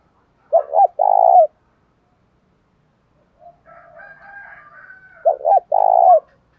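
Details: Spotted dove, its call used to excite and train decoy birds. A rich low phrase of two hoots and a long coo comes first, then a fainter, higher, rasping bird sound leads into a second identical coo phrase.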